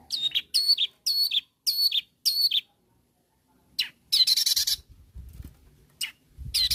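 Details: Long-tailed shrike calling rivals: five loud, slurred, whistled-and-harsh notes about every half second, then a pause and a few harsh rasping bursts.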